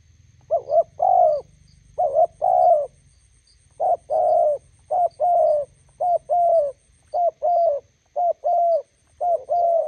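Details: Decoy spotted dove meeting a wild bird near a road: rapid, overlapping low coos in short-long pairs, almost continuous, with a low rumble of background noise early on and faint high chirps.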